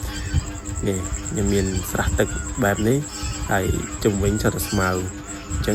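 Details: Domestic geese calling from inside their pen: a steady series of arched, nasal honks about every half second, fairly evenly spaced, with a thin continuous high whine and low background hum.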